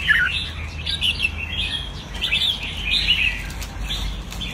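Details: Red-whiskered bulbul kept in a cage, giving rapid chattering, warbled song phrases one after another, slightly rising and falling, over a constant low background rumble.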